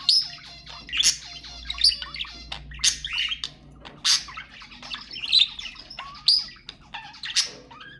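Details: Budgerigar calls used to stimulate mating: dense, continuous chattering warble of rapid chirps, clicks and squeaky notes, with sharp bursts about once a second and a faint low hum beneath.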